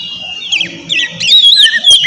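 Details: Oriental magpie-robin singing loudly as a lure to provoke a rival: quiet opening, then clear rising and falling whistles and a long wavering whistled phrase, with a low hum beneath.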